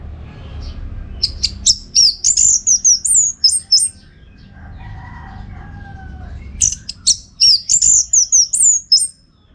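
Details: Orange-headed thrush, contest-training tutor, sings two long, rich phrases of rapid varied whistles, clicks and sliding notes, with a quiet gap between them.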